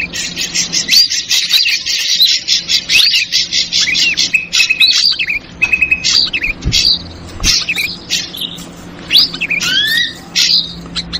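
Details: Ashy drongo lure sound in a loud chattering form, opening with a harsh buzzy rattle, then separate whistled chirps, short flat notes and upslurred whistles spaced irregularly.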